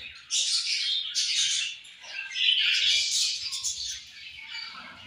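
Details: Budgerigars together at food, keeping up a loud, continuous chatter of buzzy chirps and squeaky warbles that barely pauses across the whole stretch.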